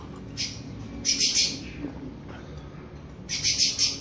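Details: Creamy-bellied thrush in warm-up before its classic song, giving a faint single note, then two bursts of three sharp, high notes set apart by a quiet gap.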